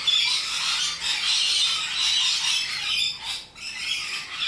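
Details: Harsh squawks from rainbow lorikeets come in quick, irregular bursts, a shrill grating chatter that dips briefly near three and a half seconds.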